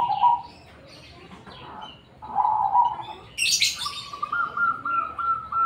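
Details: Black cemani zebra dove with a distinctive voice gives short purring coos in two bursts, then after a sharp rustle a longer, evenly pulsed trill that steps slightly upward and holds.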